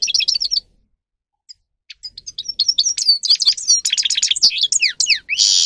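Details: Grey-crowned goldfinch song used for training birds to sing: a high twittering burst, a pause with a few isolated notes, then a dense run of rapid chirps, trills and slurred whistles ending in a buzzy note.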